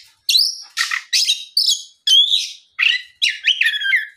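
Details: Oriental magpie-robin afternoon lure song meant to prompt other magpie-robins to answer; about eight loud phrases mixing clear descending whistles and harsh scratchy notes, separated by short gaps.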